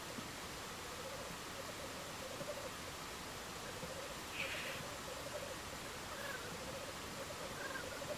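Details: Two male Black Grouse fighting give a low, steady dove-like bubbling that rolls on without pause, with one brief hissing burst midway, over a constant broad rush of background noise.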